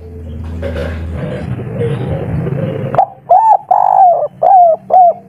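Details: Local spotted dove with kuk 3 song: three seconds of muddled low noise, then four or five smooth, arching coos, one drawn out longer, in steady succession.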